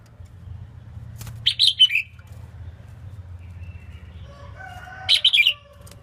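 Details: Singing female red-whiskered bulbul, used to excite males, gives two brief chirpy bursts about three and a half seconds apart, faint tonal sounds and a low hum beneath.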